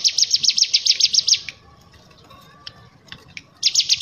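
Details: Bar-winged prinia singing in the ngebren ngetrok style used as a tutor recording: a fast burst of sharp, high, evenly repeated chip notes for about a second and a half, a quiet pause with faint clicks, then the rapid trill resumes.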